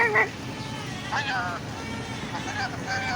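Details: A pet Indian ringneck (rose-ringed parakeet, Psittacula krameri) talks in three or four short, nasal, speech-like bursts with sliding, falling tones over steady background hiss.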